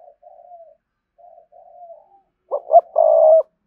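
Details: Spotted dove cooing to draw wild rivals in to fight at its perch: a run of soft, low, sliding coos, then a loud, emphatic stuttered coo ending in a long sustained note near the end.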